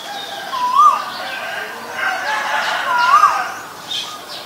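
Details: Asian koel giving two loud, clear whistled notes, each sliding upward then dropping slightly, spaced about two and a half seconds apart, with faint chirps from other birds behind.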